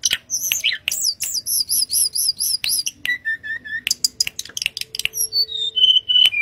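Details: Mangrove blue flycatcher singing in the wild, delivering clear high whistled notes repeated in quick even series, some phrases dropping lower, others sliding down step by step at the end.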